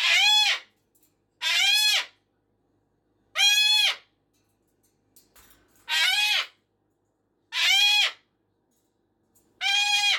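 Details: Indoor cockatoo at 5:15 AM or PM: a steady run of six piercing, grating screams, each arched in pitch, repeated roughly every one and a half to two seconds with near silence between.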